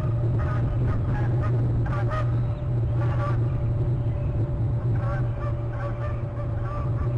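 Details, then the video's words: Geese flying by at 5.00am, giving a rapid, uneven series of nasal, harmonic honks that overlap throughout, several birds calling together over a loud steady low hum. "5.00am Geese fly by"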